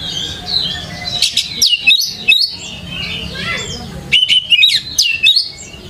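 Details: Training lure for young Oriental magpie-robins, a singing bird delivering bright whistled phrases mixed with harsh chatter, two dense bursts separated by a quieter passage of softer warbling, over a low hum.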